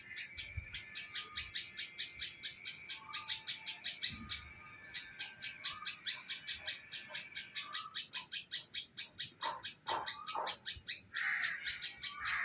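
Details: Bulbul from a nest in a neem tree in Hyderabad, Sindh, Pakistan: long runs of fast, clipped chirps, some brief whistled notes mixed in, growing denser and louder toward the end.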